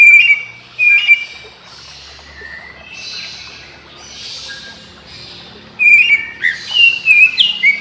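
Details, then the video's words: Morning song of an Oriental magpie-robin, others of its kind answering and joining in; short bursts of bright whistled, warbling notes at the start and again near the end, separated by a hushed stretch of faint hiss. "Kicau KACER Pagi Hari KACER Lain Denger Langsung Ikut GACOR Nyaut Koar Koar"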